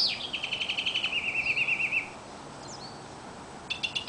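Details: Bird singing by day outside a window, one normally heard at 3 a.m.; a high, quick descending start becomes an even, rapid warbling trill for two seconds, then a short pause, a lone thin note and a brief burst of chirps.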